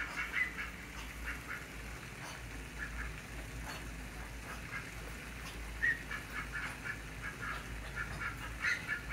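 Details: Pekin ducks in Florida give short, nasal quacks in loose, irregular bursts, a few every several seconds, over a low steady background hum.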